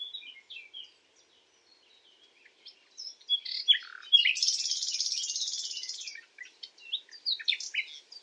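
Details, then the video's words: Common nightingale song recorded at night, opening with scattered quiet high chirps and pauses, then a dense buzzy trill lasting about two seconds, followed by varied short whistles and twitters. "Beautiful Common Nightingale song"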